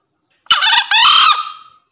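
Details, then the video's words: A green junglefowl, used to prompt idle captive junglefowl to call or as a lure in the forest, gives one short, hoarse, two-part crow: a harsh rasping note, then a higher strained note trailing off. "Suara Masteran Untuk Ayam Hutan Hijau yang Malas Bunyi"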